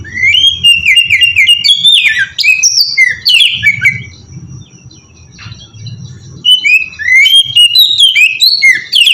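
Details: Oriental magpie-robin singing ngeplong style as a lure for birds: phrases of sweet slurred whistles and chatter, a quieter stretch with low background rumble, then renewed whistled phrases.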